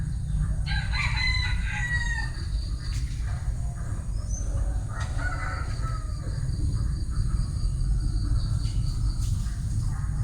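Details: Crowing bantam rooster, a drawn-out, descending harmonic crow early on, followed by a quieter second call, all over persistent low-pitched background noise.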